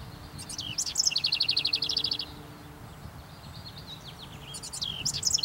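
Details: House wren singing to its mate from a perched branch: a fast bubbling burst, then a rapid rattling trill of repeated high notes, silence, and another jumbled song beginning near the end.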